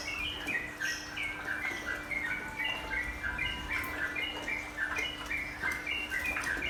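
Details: Sooty-headed bulbul giving a long run of bright, bouncing chirps and short warbles. The recording serves as therapy toward calm, continuous nropel singing, with a steady background hiss throughout.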